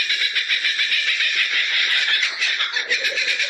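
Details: A captive Laughing Kookaburra at a zoo gives loud, rapid cackling hoots tumbling over one another, about three notes a second, harsh and bubbling throughout.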